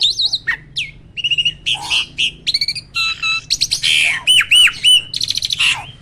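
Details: Champion caged starling with very loud, fast burst phrasing: clipped whistles, wavering warbles, buzzy rasps and ringing looped notes follow each other about three or four times a second in a varied, melodic stream.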